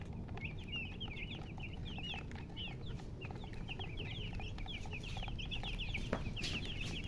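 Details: Chickens give rapid, high, wavering chirps, roughly three per second, in an overlapping chorus over a low hum and occasional clicks.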